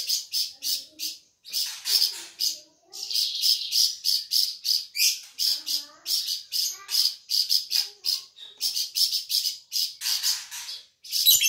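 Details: Flamboyan bird, found around Sumatra, in a long energetic song: dense rapid high chips repeated in rhythmic bursts for over ten seconds, with a few short breaks.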